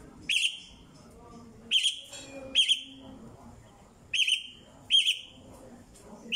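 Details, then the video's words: Mockingbird singing: clear whistled phrases with a sharp bright onset and a falling tail, repeated in bursts about every second, separated by short pauses, over a low background hum. "cenzontle / mockingbird / sinsonte cantando / cenzontle cantando / sabia da praia / sinsonte"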